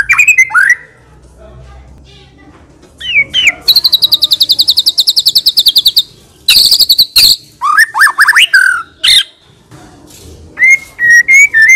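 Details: White-rumped shama in full song, packed with varied fill phrases and long bursts, suited to prompting other birds: sharp whistles open, then a rapid buzzy rattle lasting two seconds, harsh chattering bursts and slurred high whistles.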